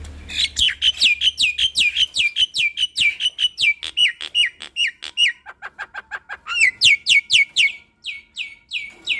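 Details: Jalak Nias (Nias hill myna), a kept bird in full song showing off its repertoire. Loud, steady run of clear whistled notes that each drop sharply, about three per second, then lower clipped notes and another high whistled series.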